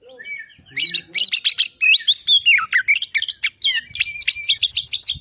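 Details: Male Oriental magpie-robin, a white-breasted caged bird, singing a loud, rapid song of varied whistles, sharp chirps and buzzy notes that sweep up and down, delivered in dense bursts with brief pauses.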